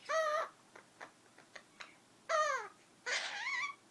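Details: Captive female Princess parrot, kept as a foster pet since October 2013, which copies sneezing, fart noises and words. Two clear harmonic notes sliding downward, soft clicks between them, then a noisy breathy burst that rises at the end.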